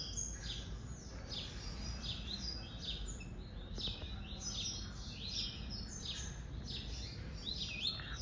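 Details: A caged male Double-collared Seedeater (Sporophila caerulescens), just out of moult and kept beside partner birds, which makes it sing little, sings a steady run of quick, high, twittering phrases of sharp chirps and slurred notes over a low rumble.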